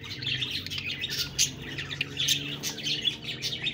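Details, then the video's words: Budgies keep up a softer, steady warble of high chirps and clicky notes, with sharper squeaks standing out every second or so. "Budgies Birds talking sound Birds chirping sounds"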